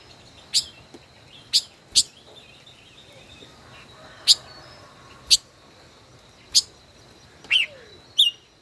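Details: Caged five-colored bird, a decoy kept over a year in its cage, in a song duel: sharp high chirps spaced about a second apart, some paired, over a steady thin high tone and faint low rumble.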